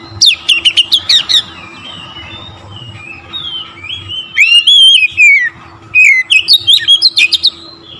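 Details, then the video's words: Oriental magpie-robin belting a provoking song, clusters of sharp chirps, then a long sweeping whistled phrase falling in pitch, then more rapid chirps, with a soft background hum. "TERAPI KACER LAIN LANGSUNG TERPANCING EMOSI GACOR DOR"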